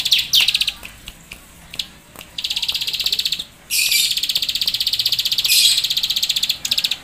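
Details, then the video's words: A bar-winged prinia delivers full keteran chatter: high, rapid pulsed trills in long runs, separated by brief pauses and sharp descending chips, with one louder burst of trilling midway. "Ciblek Sawah Gacor Full Nembak Keteran"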